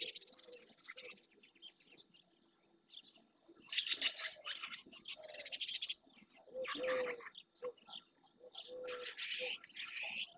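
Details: Dozens of barn swallows, many of them juveniles, gathering in early June around an ornithological centre and the marsh edge in Doñana National Park, Andalusia, Spain. Dense bursts of high twittering chirps overlap, with short lower drawn-out tones between them.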